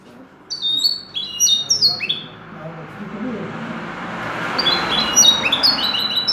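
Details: Common linnet trained to sing in the style of the goldfinch: two bursts of quick, high, twittering notes with slurred and falling whistles, the second burst after a short pause. Faint voices are in the background.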